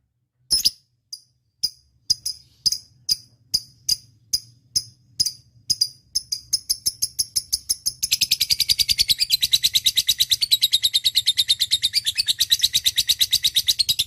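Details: Lovebird giving spaced, sharp clicking chips that gradually quicken, then merge after about eight seconds into a dense, continuous harsh chatter lasting to the end.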